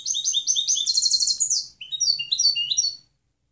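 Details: Clean song of a European goldfinch intended for tutoring: dense, rapid twittering with a buzzy trill, then more spaced, liquid chirps before stopping.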